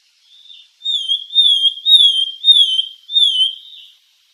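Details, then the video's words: A Sultan tit (Melanochlora sultanea), used as a song-training recording, sings a run of about five clear, wavering, high whistles in quick succession, each slurring up and down; nothing else is heard. "Suara Masteran Burung Gelatik Sultan"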